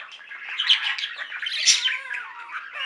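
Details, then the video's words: Pet budgerigar flock: a short, loud stretch of squawking chatter and rasping warble with a high squeak in the middle, birds overlapping throughout. "Most Beautiful Budgie songs Ever: Budgies singing and chirping"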